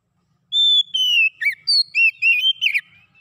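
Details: Oriental magpie-robin song played to make a silent bird sing: one long pure whistle, a falling slur, then a quick run of looping, rising and falling whistled notes.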